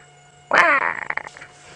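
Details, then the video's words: Lilac-breasted roller in Djuma Game Reserve area on an August afternoon safari gives its foul call, source of its Shangaan name Veve: a harsh, rasping croak of almost a second, then broken grating notes, over low engine hum. "and you can hear there the rather unattractive call of the lilac-breasted roller."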